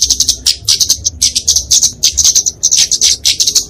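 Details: Kemade, a small flowerpecker of genus Dicaeum, in fighting song for training and luring songbirds: fast, high-pitched ticking chips in a near-continuous chatter with tiny breaks.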